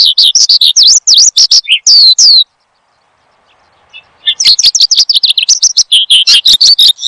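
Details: Horsfield's bushlark, kept caged and recorded as a training song. Rapid V-shaped slurred chirps, then a pause of about two seconds before the busy twittering resumes.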